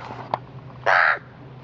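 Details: An 8-week-old male pet pied crow × brown-necked raven hybrid gives one harsh, hoarse caw about a third of a second long, with a single faint click just before it.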